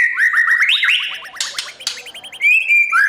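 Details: Morning singing of a white-rumped shama, used as voice training so newly caught birds learn competitive song: rapid rising whistled slurs and trills, interrupted by two harsh raspy bursts, then a long bright whistle.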